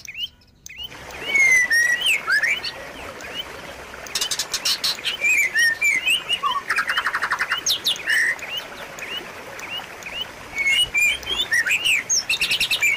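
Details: White-rumped shama in full song for training birds that stopped singing: varied whistles mixed with dense buzzy rattles and rapid clicking trills, delivered in a long, busy sequence.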